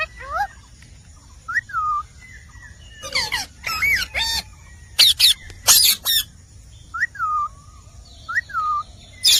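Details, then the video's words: Indian parrot (rose-ringed parakeet) alternates short looping whistled notes, roughly every one to two seconds, with clusters of loud rasping screeches in the middle stretch. "Indian Parrot Talking Natural Sounds"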